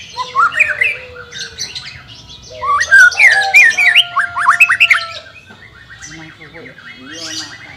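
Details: White-rumped shama song used in training a bird that is reluctant to sing: loud looping whistles and sharp upswept notes over a held tone, fading into a softer rapid series.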